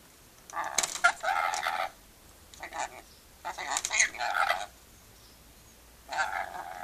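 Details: Rainbow lorikeet kept as a pet, having fun chatting and laughing: rasping, scratchy bursts of chatter, three longer runs separated by short pauses, with a woman speaking softly to it afterwards.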